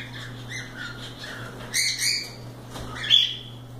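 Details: Cockatiels flying free and playing indoors: scattered short squawks and chirps, with a sharp burst near the middle and a brief whistle toward the end, over a constant low electrical hum.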